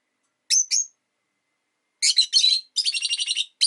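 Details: A pet Rosy-faced lovebird, one of five kept in a cage by a window in winter, gives two sharp high chirps, then after a pause a rapid run of harsh, buzzy chattering chirps; no other sounds.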